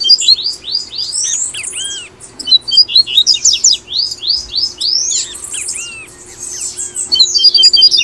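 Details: Double-collared seedeater song from Brazil, played to encourage caged birds to sing: quick high whistled and twittering phrases, rising and falling sweeps in dense runs, with short pauses between bursts.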